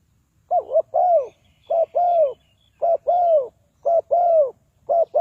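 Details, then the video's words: Spotted dove cooing as a trapping lure for wild doves: a short coo followed by a longer, arched, falling coo, a two-part phrase repeated steadily about once a second, five times in a row. "Tekukur Pikat,นกเขาใหญ่สายต่อดิน, Sound Of dove"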